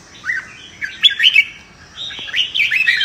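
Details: Red-whiskered bulbul giving competitive fighting song, used to train birds to sing in contests: short bright warbled phrases of slurred whistles, one brief burst then a longer chattering run, pausing before another rapid sweeping phrase.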